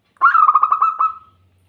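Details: A brief burst of zebra dove song, a quick rolling series of throaty cooing pulses that fade away within about a second.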